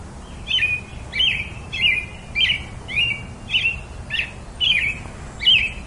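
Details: Evenly spaced robin chirps, each bright note falling into a short whistled tail, nine repeats at roughly two thirds of a second apart, with only faint low background noise.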